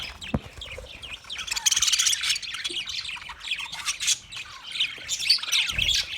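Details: Budgie flock calling in a busy mix of quick high chirps, squeaks and warbling notes rising and falling in bursts throughout, with a few soft knocks underneath.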